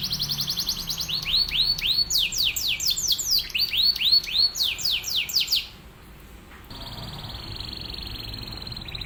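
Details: Atlantic canary in energetic full song, used as a master song for training other canaries: rapid rising-falling whistled syllables repeated about four per second, then a pause and a steady high trill.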